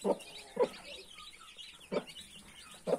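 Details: Mother hen with 31 newly hatched chicks: four short, low clucks at uneven spacing, with faint high peeping from the chicks in between.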